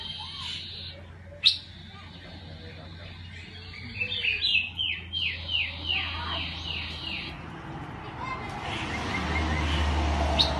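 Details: Iora singing, played to stir wild birds: a sharp note, then a run of quick rising whistled notes repeated about twice a second, joined to a long level whistle, with a low steady hum throughout.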